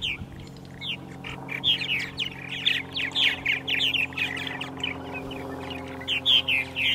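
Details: Purple martins calling on a spring morning, 14 April 2012, Center Moriches, Long Island, New York: busy, throaty chirps and croaks in quick overlapping runs from several birds above a low steady hum.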